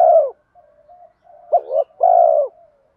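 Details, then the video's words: Spotted dove in bronze-voice style luring wild birds: a drawn-out low coo fading, faint murmurs, then a wavering double note and a second long steady coo. "Cu gáy giọng đồng pha thúc Gù Kèm Mắt Me rút chim bổi cu gáy rừng nhanh về cội"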